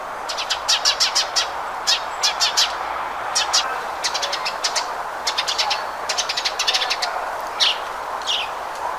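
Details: House sparrow singing: bursts of sharp, bright chirps repeated rapidly in clusters of three to six, with short pauses between groups and a couple of longer slurred notes near the end, over a steady low background hum.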